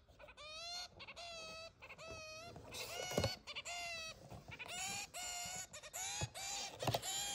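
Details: Pet zebra finch kept indoors six months after coming home, giving loud nasal honking calls in runs, each a harmonic-rich note with a slight upward bend, spaced irregularly about half a second apart.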